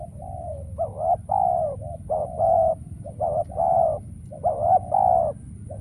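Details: Decoy spotted dove at a trap, wild birds rare: a steady series of deep, rolling coos in paired phrases, a quick upturned note leading into a longer throaty coo, repeated about five times, with constant low rumble behind.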